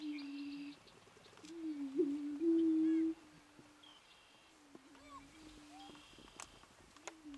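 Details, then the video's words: Low, mellow moaning hoots from greater prairie chickens at a mating dance, loudest in a two-second swell. Thinner high whistles, short chirps and a few clicks come from other birds nearby. "Greater Prairie Chicken mating dance"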